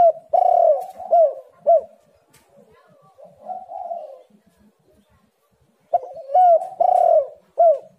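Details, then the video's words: Cooing spotted dove, played as a lure to make lazy doves call. Loud hooked coos come in clusters, with a softer throaty phrase between them and a second burst of emphatic coos near the end. "tekukur super gacor Suara HAS pancingan untuk burung yang malas bunyi"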